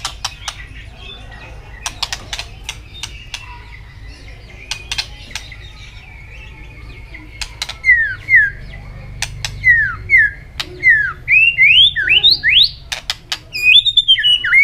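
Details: White-rumped shama in competition song, flicking its tail: many sharp clicks and a faint buzzy background at first, then a lively series of looping, falling and rising whistled notes delivered quickly.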